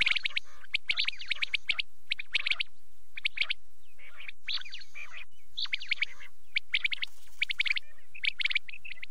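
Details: Nighttime quail calling: a long run of bright, scratchy chirp bursts and hooked high whistles in clusters separated by brief pauses, steady and busy throughout.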